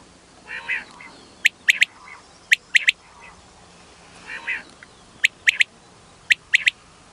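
Female common quail giving short buzzy, grating bursts, then sharp high clicking notes in quick twos and threes, repeated about once a second.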